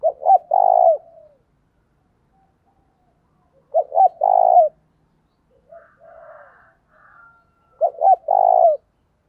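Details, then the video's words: Decoy spotted dove cooing to provoke other doves into calling: a phrase of two short clipped notes then a long, even, low coo, given three times, with a faint softer trill between phrases. "Chim Cu Mồi, tieng cu gay kich boi nhanh noi gù"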